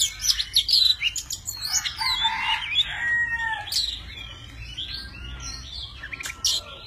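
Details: Tame Oriental magpie-robin singing in many voices while spreading its wings and fanning its tail: rich, varied whistled phrases with sharp high notes and lower warbles, delivered in quick uneven bursts.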